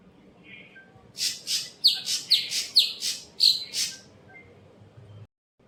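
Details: Greater green leafbird, an untrained caged bird at a bird-shop kiosk, gives a series of eight harsh, scratchy notes, each with a sharp whistled tip, about two per second, over faint room hum.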